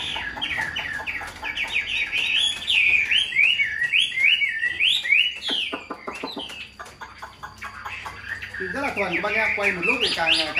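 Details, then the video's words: Caged Chinese hwamei, a tame hand-raised bird kept for singing and fighting in Vietnam, gives a loud run of slurred whistled notes rising and falling quickly, then lower rolling phrases near the end, with a man talking softly behind. "Chim thuần sách tay hót, đấu tốt - Hoạt Họa Mi"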